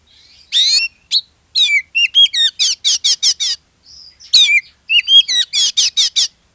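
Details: Singing Oriental magpie-robin used as a lure for other magpie-robins; two long runs of loud, evenly repeated rasping notes mixed with curling whistles, separated by a short soft pause.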